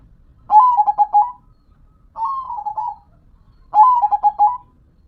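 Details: Local zebra dove (perkutut lokal) singing: three soft rolling coo phrases, each a quick run of pulsed, stuttering notes followed by a short trill, repeated about every one and a half seconds over a quiet background.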